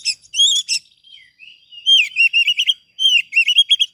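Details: Oriental magpie-robin master song meant to coax other birds to sing: loud whistled notes with high chips, a quiet descending slur, then two fast bursts of looping whistles.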